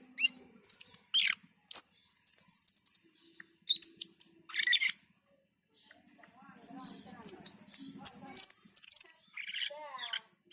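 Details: Black-and-white bulbul (cucak keling) in full song, said to sound frightening: a lively mix of sharp high chirps, rapid rattling trills and looping whistled notes, with a brief pause midway before the bright phrases resume.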